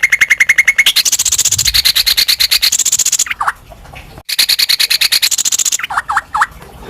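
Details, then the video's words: Greater green leafbird in full song, meant to provoke other birds into singing: rapid repeated-note phrases at shifting pitches, then a pause, more trains and several lower downslurred whistles. "pancingan burung cucak ijo respon emosi ikut gacor dorr"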